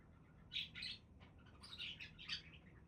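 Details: Budgerigar warble of quick scratchy chirps strung together in three or four close bursts over a couple of seconds.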